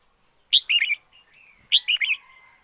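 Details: Red-whiskered bulbul decoy bird singing: two bright warbled phrases of three to four quick slurred notes, about a second apart, with a faint steady high hum throughout.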